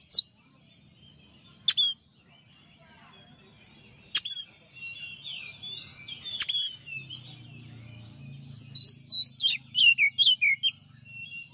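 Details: Champion white-rumped shama singing a master song, with scattered sharp clicks and soft twittering building into a fast series of bright whistled notes, over a low hum and distant chirps.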